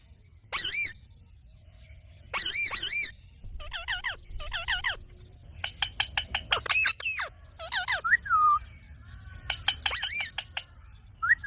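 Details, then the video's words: Talking ringneck parakeet giving harsh, harmonic squawks in separate bursts, then a quick chattering series of clipped notes with a short falling whistle near the end and another squawk burst. "ringneck talking parrots voice"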